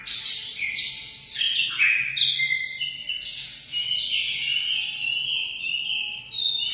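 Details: Emprit, a munia, gives a jumbled high twittering of quick chirps and short downslurred notes, running on without pause and bright throughout.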